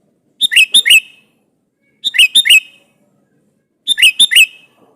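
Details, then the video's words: Sooty-headed bulbul in vigorous song aimed at a rival: three phrases of three or four bright, bouncing whistled notes, about one and a half seconds apart, in a quiet setting. "SUARA BURUNG KUTILANG GACOR MEMANGGIL LAWAN INI"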